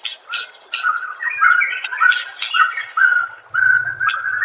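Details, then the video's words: Master training recording of a white-rumped shama: steady, repeated mid-pitched whistled notes, roughly two per second, broken by sharp clicking snaps and a brief low buzz near the end. "Masteran murai AMPUH"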